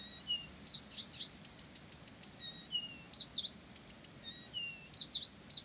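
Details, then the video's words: Ceaseless Blyth's reed warbler song alternating level whistles and short falling slurs with clusters of ticking clicks and looping V-shaped notes, repeated in similar phrases. "САДОВАЯ КАМЫШЕВКА НЕ В СИЛАХ ПОМОЛЧАТЬ!"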